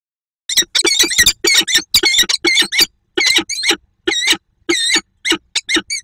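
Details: Female peregrine falcon in Słupsk, 2 June 2022, quacking during an almost silent meeting: rapid series of harsh, nasal, harmonic-rich notes in quick bursts with short pauses, nearly continuous at first, then spaced out.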